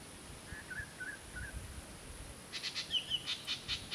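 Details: Whistling kite (Haliastur sphenurus) defending its meal in Acacia Hills, Northern Territory, Australia: a few soft whistled notes, then a rapid run of sharp, high staccato notes, about five a second, over a steady background hiss.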